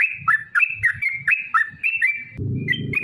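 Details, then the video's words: Sooty-headed bulbul, used as a lure to make other bulbuls sing in a long rapid style: bubbly short whistled notes rising and falling, delivered in quick succession, with a low rumbling noise toward the end. "trucukan gacor TARUNG ROPEL PANJANG pancingan trucukan agar bunyi"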